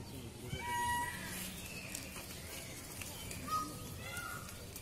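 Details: An Indian peafowl, shown as a peacock dancing, gives two loud, nasal, wailing screams, one near the start and one near the end, over a steady hiss of outdoor background noise.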